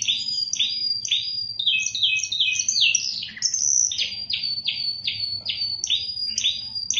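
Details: Spanish Timbrado canary from Indonesia singing a series of bright, metallic downward-swept notes in quick repeated phrases, with high piping tones and short trills, over faint low background noise.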